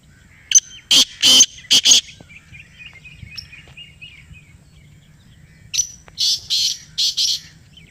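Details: A black francolin, or kala teetar, answering played sound in Pakistan: two rough grating phrases of four to five harsh bursts each, several seconds apart, with a thin buzzy trill from another bird between them.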